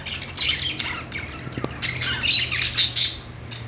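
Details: Budgie song of harsh squawky notes and thin chirps, building into a busier, brighter chatter in the second half, with a low background hum.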